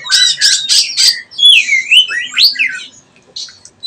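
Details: Young oriental magpie-robin learning to sing, in the practice style called ngeplong: four harsh buzzy bursts, then clear rising and falling whistles with swooping slurred notes, ending in a short quiet trill.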